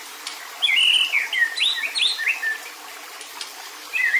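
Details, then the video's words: White-rumped shama giving an agitated kretekan call, meant to provoke other males: a quick burst of clear, sliding whistled notes that rise and fall for about two seconds, a pause, then one short whistled phrase near the end, over a quiet background. "KRETEKAN MURAI BATU MEMANCING EMOSI"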